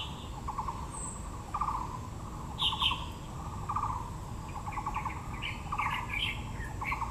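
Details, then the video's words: Taiwan blue magpie in Yangmingshan National Park's Yangming Park, Taipei, with azaleas: repeated dry chattering rattles, some sharp high squeaks and twittering from other birds, constant low outdoor rumble. "(藍鵲+杜鵑花)(Natural sound)"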